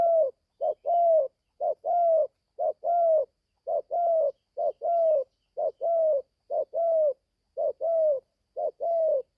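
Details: Spotted dove, a young bird that has just started calling, on its first trip out for forest training: paired and single soft mid-pitched coos repeat at a steady pace of roughly one per second in clean, quiet surroundings.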